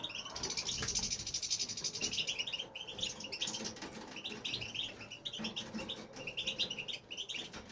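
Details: Male European goldfinch singing without stopping in a home aviary; a fast, rich, continuous twittering with a buzzy high trill early on and cascades of bright notes throughout.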